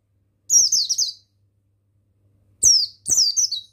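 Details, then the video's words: Male mountain white-eye of the buxtoni type, recorded as a masteran tutor song for training other birds: three rapid, high twittering phrases of slurred, descending notes, each under a second long, with a faint low hum underneath. "Begini Suara Pemasteran yang Untuk Pleci Bustomi Bahan Bikin Burung Pleci Bustomi Gacor Ngalas"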